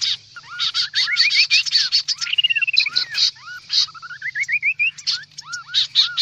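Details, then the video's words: A kaso-kaso lure call, loud and busy. Ascending series of short whistles climb step by step under continuous high buzzy chattering, with one slurred falling run and a faint low hum beneath. "Suara pikat burung kaso kaso ribut"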